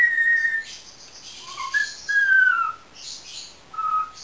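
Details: Indian ringneck parakeet kept as a pet, whistling long steady tones at varied pitches, some gently falling, separated by short pauses in a quiet room.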